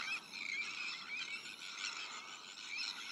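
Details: Sandwich tern breeding colony with black-headed gulls, arctic terns and common terns nearby; many rasping, screechy calls blend into a steady wall of sound, with a few thin rising squeals standing out.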